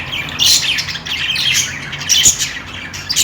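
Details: Budgerigars chirping: dense overlapping high warbled chatter and squawky notes, several birds calling at once with short bursts and brief pauses.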